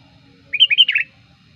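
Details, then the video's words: One quick phrase from a sooty-headed bulbul kept as a lure bird: four or five liquid whistled notes rising then tumbling down, bright and bubbly, with a quiet low hum beneath. "suara pikat burung kutilang gacor ampuh"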